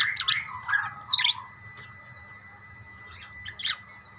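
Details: Budgerigars calling back and forth to each other: scattered short chirps and squawky notes, some falling whistled sweeps, in bursts with quieter gaps between.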